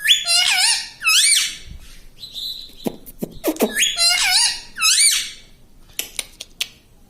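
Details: Talking parrot, a pet said to say mitthu and mummy, repeats a pair of harmonic, rising-falling word-like phrases twice, separated by short clicks and squeaks.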